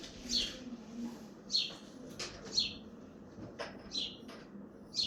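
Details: Chirping house sparrow on a balcony in Hazaribagh, India: a run of about seven short, high chirps roughly once a second, with a few soft clicks and taps between them.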